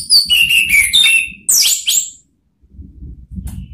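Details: Orange-headed thrush (Geokichla citrina) song, used to provoke rivals into responding: rich, varied whistled phrases with rapid sweeping notes and high buzzy trills, then a brief pause and faint low rumbling.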